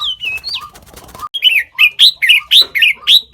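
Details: Sooty-headed bulbul, called nok taet, a mimic of more than five bird species: soft falling whistles, then a loud series of about seven bright, bubbly chirped phrases in quick, even succession.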